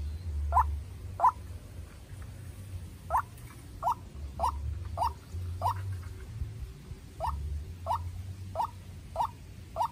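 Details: Young decoy White-breasted waterhen in a heated contest with a wild bird; uneven bursts of short clipped notes with brief gaps, over a heavy low rumble.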